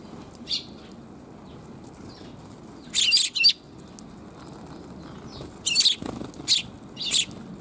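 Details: Sparrows along a back alley, 28 January 2022: two separate bursts of loud, harsh high chirps, paired notes around three seconds in and a second group of three later, with quiet gaps between.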